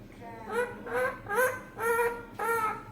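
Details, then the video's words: Green pet parrot talking in Bengali words such as "Allah" and a line about guests arriving; five nasal, honk-like syllables repeated roughly every half second. "আল্লাহ বলছে মিঠু টিটু দেখেন কুটুম আইছে বলছে"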